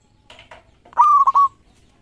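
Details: Local zebra dove with a 13-feather tail: two faint soft notes, then one strong phrase of a bright sustained tone broken by two quick dips, ending cleanly.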